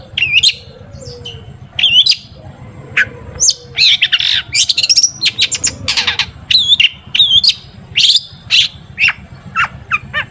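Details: Long-tailed shrike song used as a lure for other shrikes: varied high whistles, squeaks and harsh chatters in quick phrases with short gaps, over a low steady mechanical hum.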